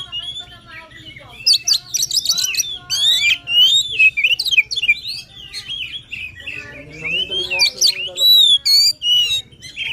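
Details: Oriental magpie-robin in energetic, emotional 'gacor' singing, used to stir a quiet bird into song: varied loud whistles and buzzy trills, with sweeping high notes and rapid chatter in bursts, over a faint low hum.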